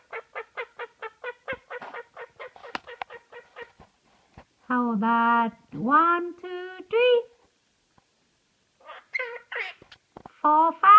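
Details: Pet Quaker (monk) parakeet about 3 years old, asked to make a duck noise, gives a rapid series of clipped notes, then harsh, nasal quacking imitations of a duck.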